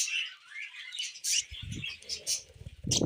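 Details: Budgerigar couple on a hand uttering short bursts of sharp high chirps separated by brief gaps, alongside low rustling and thumping sounds.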